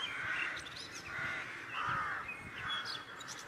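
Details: A crow gives four harsh, hoarse caws, evenly paced a little under a second apart, in a courtyard in the morning, with faint high chirps from small birds in the background.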